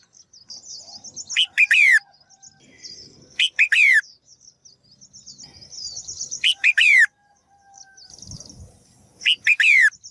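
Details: Female bird calling to stimulate males to sing actively: loud harsh bursts of sweeping notes roughly every two to three seconds, with high rapid twittering chirps between them.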